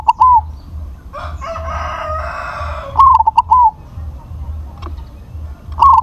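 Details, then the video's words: A crossbred zebra dove with a big voice repeats its rolling coo phrases, ending in a longer falling note. A rooster crows loudly between phrases, and there is a low background hum. "PERKUTUT CROSSING SUARA BESAR"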